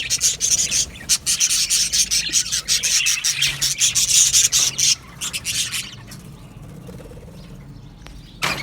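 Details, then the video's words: Australian budgies in an aviary colony, singing and chirping: dense, scratchy high chatter of overlapping rapid notes for about six seconds, then fading to near quiet before a final burst. "Australian Budgies Singing and chirping sounds"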